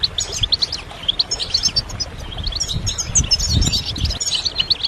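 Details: European goldfinch song used as stimulation for training: rapid twittering of quick high notes and trills, a continuous liquid chatter with brief pauses, over a low background rumble.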